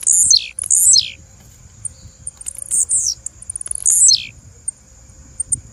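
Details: Three calls of a female blue-black grassquit: two close together, then a third after a run of accelerating ticks. Each is a strident, high buzzy note falling sharply in pitch, over a steady background whine.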